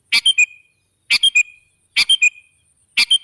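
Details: Sooty-headed bulbul used as a bird lure, giving four quick phrases of three sharp, clipped notes. Each phrase comes roughly once a second, the last note slightly lower and more whistled.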